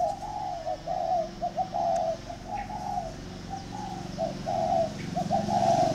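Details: Spotted doves, two decoy birds vying in Ba Vì, Vietnam, coo almost continuously in short rolling notes, with a low hum underneath.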